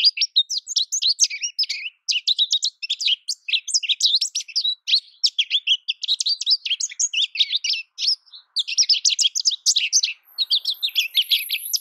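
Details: Long, lively song of an American goldfinch: a dense, continuous stream of bright high twitters, trills and squeaky warbles, barely pausing for breath, with a faint thin hiss near the end.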